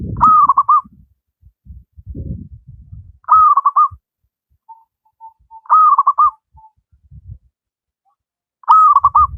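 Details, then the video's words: Local wild zebra dove in full song, a master recording for doves that rarely sing. Four stuttered cooing phrases, each a sharp opening note then rapid pulsed coos, come about every two and a half seconds over soft low thumps. "Burung perkutut lokal alam gacor, cocok buat masteran perkutut yang malas berbunyi"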